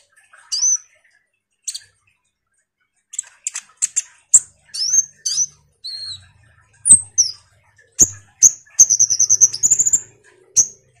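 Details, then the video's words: Common iora song used as a lure for other songbirds: scattered high sharp notes at first, then quicker whistled and chattering phrases, ending in a rapid trilled run of notes. "suara PANCINGAN KONIN GACOR NGOBRA"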